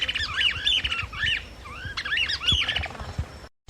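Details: Chapada flycatcher song: a rapid run of harsh, slurred, up-and-down notes in two bursts, each about a second long, with a brief gap between them, over faint low rumbling background noise.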